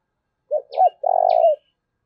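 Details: Spotted dove calling to prompt newly caught wild doves to coo readily: two short low hoots and a long purred coo, overlapped by two thin, sharp descending chirps from a small bird.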